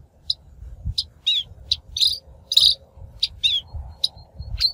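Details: Shrike lure sound for trapping birds: sparse high squeaky chirps and scratchy notes with a faint thin whistle, a soft low rumble underneath.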